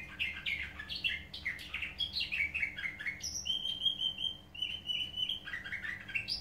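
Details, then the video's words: Canaries with a nightingale-like song sing quick, varied chirps and warbles, then hold a long, steady, high trilled note before the rapid phrases return. "Bulbul otumlu kanaryalarimdan bazi nagmeler"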